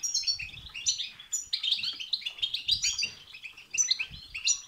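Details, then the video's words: European goldfinch song in the styles known as bitbita and sitsita, said to excite other goldfinches into singing; rapid liquid twittering and buzzy trills packed with high tinkling notes, nearly continuous, with soft low thuds at intervals. "بتبتة وستستة تخرج الحسون عن السيطره..... هيجان خرااافي تسببه هذه البتبتة نار على نار سيغرد حسونك"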